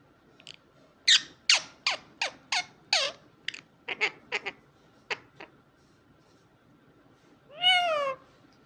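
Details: Indian ringneck parakeet: a quick run of sharp, high clicking chirps about two per second, then a pause and one loud harsh squawk that drops in pitch near the end.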